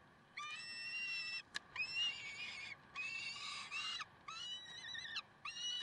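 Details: Peregrine falcon at Karlsruhe, 30 May 2010, 6:56 in the morning, giving five harsh, drawn-out wailing calls, each about a second long, with short pauses between them.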